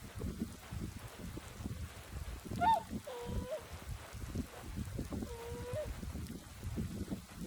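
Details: Swans in early spring resting in a flooded paddy field during a warm south wind, giving calls unlike their usual ones. One arched honk is followed by two flatter, drawn-out nasal notes, over a constant low wind rumble.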